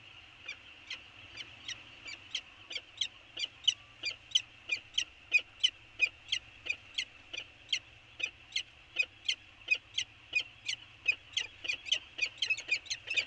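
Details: Early exchange between peregrine falcons on Anacapa, 24 January 2020: a long, steady run of clipped, ringing calls, roughly one and a half per second, speeding up slightly near the end, with faint low background hum.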